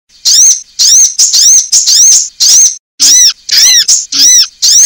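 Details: Female sunbird call used as a lure to draw other sunbirds and prompt them to call. Loud, high, arched chirps come in quick bursts, about two per second, with short gaps between them. No other sounds are heard.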